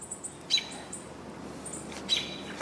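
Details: American robin calling on 18 June 2022, possibly alarmed by something nearby: thin, very high notes repeated several times a second, broken by two sharper, louder chirps about a second and a half apart.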